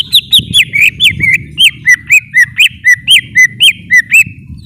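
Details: Greater green leafbird repeating clear, curling whistled notes roughly four per second, each swooping up then down, over a constant low rumble in the background.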